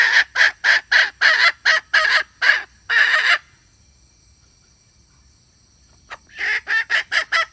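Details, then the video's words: Lure call of a wild red junglefowl hen for males: a rapid run of about ten harsh, rasping notes, a silent pause of nearly three seconds, then the rough clucking series resumes. "Suab poj qaib qus seev lau dib tuaj zoo / tiếng gà mái rừng kích bổi siêu nhạy"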